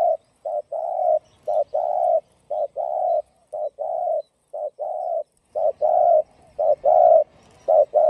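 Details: Rhythmic cooing of a spotted dove in the 'giọng đồng' voice, used to stimulate and lure other doves: about eight fast phrases in a row, short double hoots each leading into a longer rounded coo.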